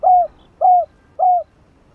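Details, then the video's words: Spotted dove cooing, played to get a caged dove cooing: three rich, low, slightly falling coos spaced about 0.6 seconds apart over a quiet background. "Chim Cu gáy kích bổi /Cu gáy mồi cây CHIÊU 3 HẬU kích bổi chưa nổi nhanh gáy"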